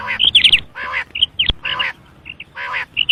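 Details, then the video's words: Common quail giving harsh, buzzy bursts mixed with short high whistled notes, several in quick succession over three seconds, with a sharp click midway. "Batair Ki khobsorat Mote Awazay|Batair Ki moty Awaz|Обыкновенный перепелиный зов |перепелиные звуки"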